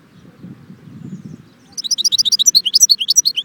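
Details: European goldfinch singing at Jbel Wahch, Constantine: after a low rumble, a fast, bright twittering run of high, chirpy notes, many per second, continuing steadily to the end.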